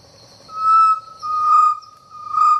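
Chestnut-necklaced partridge giving a pure, steady whistle that swells in three pulses about a second apart, over a faint high hiss of insects.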